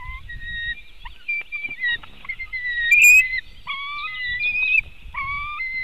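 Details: Calls of a white-tailed eagle at the nest, Latvian webcam, 2018: thin, high whistled notes, then brief level piping phrases with bright overtones, one sharp louder squeal near the middle.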